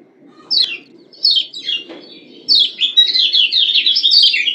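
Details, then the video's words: Caged female yellow white-eye from Lombok giving calls meant to stimulate males: a few separate descending chirps, then a fast continuous chatter of high twittering notes, with a low background hum. "Ciak Ciak Kecial Kuning BETINA Ampuh Bikin Kecial JANTAN Langsung NYUT-NYUTAN‼️"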